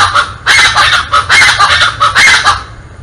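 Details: Chachalaca in the Botanical Garden of Porto Alegre, Brazil, in January 2023 giving loud, harsh, honking calls in three raucous bursts, each about half a second long.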